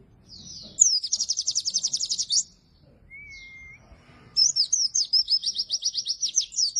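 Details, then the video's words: Lively oriental white-eye used for luring and training quiet white-eyes: two long bursts of fast, high, evenly repeated trilled notes, separated by a brief thin whistle and a moment of quiet. "burung pleci gacor!!! efektif untuk pancingan dan masteran pleci yang malas bunyi"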